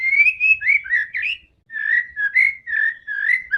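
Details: White-rumped shama singing aggressively to provoke other birds, with slurred rising and falling whistled notes delivered in a quick, rolling series and one short pause midway.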